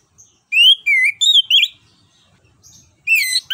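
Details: Orange-headed thrush (Anis Kembang) in gacor ngerol song meant to prompt a quiet bird to sing: a run of loud rich whistles, wavering and slurred, a silent gap, then another bright whistled phrase.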